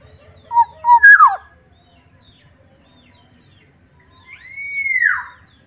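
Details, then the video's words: A Black-naped oriole of the Sumbawa form gives a few soft, fluty whistled notes, a short rising-falling phrase, then after a pause one long, smooth, arching whistle. "kepodang sumbawa suaranya Lembut"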